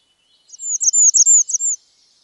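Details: A Bay-breasted Warbler in Wisconsin gives a very high, thin song of about eight quick, slurred notes over just over a second, with only faint background hiss.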